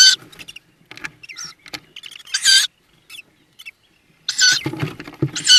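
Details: Tawny owl (Strix aluco) nest box in spring with newly hatched chicks near Szokolya, Börzsöny mountains, Hungary: short, hissing, raspy bursts and thin squeaky notes in uneven clusters, with soft rustling and knocks between them.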